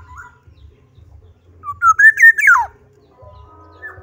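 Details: Black-naped oriole singing vigorously: one fluty, liquid whistled phrase that climbs in short slurred notes, then drops in a steep downward sweep, over a steady low hum.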